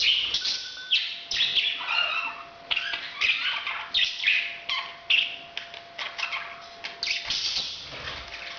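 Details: Parrot giving breeding sounds: a steady run of short, harsh, squawky chirps repeated about once a second, some sliding downward, with a faint constant tone underneath.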